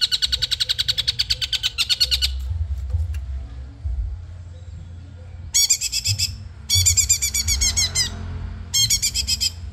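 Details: Madura long-tailed shrike in training: fast rattling buzzy trills, then several bursts of rapid, high, chattering notes separated by short pauses, over steady low hum.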